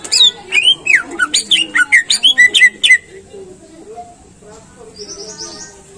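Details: Greater green leafbird singing to prompt caged birds to sing. A fast run of about a dozen evenly spaced whistled and twangy notes lasts three seconds, then soft murmuring follows and a thin high whistle enters near the end.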